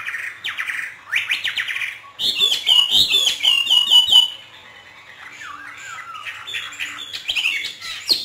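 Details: Hwamei kept and trained by a northern Vietnamese keeper, hót thả song: upward-sweeping notes, then a rapid trilling run of bright repeated whistles, fading into softer, descending warbles.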